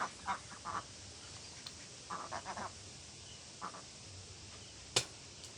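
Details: Scattered duck quacks, short nasal calls in small clusters separated by quiet gaps, with a sharp click near the end.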